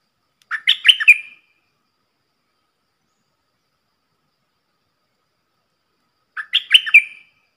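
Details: Two matching phrases from a red-whiskered bulbul kept as a decoy in Thailand, roughly six seconds apart. Each is a quick stuttering run of sharp, bright chirps. The song is meant to train young birds and lure wild bulbuls.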